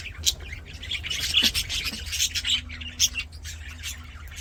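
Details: Aviary budgerigars singing while playing, bright chirps and sharp whistled squeaks over busy warbling chatter, with a faint steady low tone in the background.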